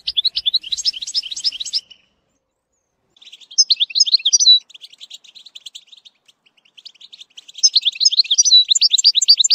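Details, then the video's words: European goldfinch song for training a young bird: a burst of fast twittering, a silent gap, then softer tinkling phrases and a renewed rapid liquid twitter. "ecolage chardonneret"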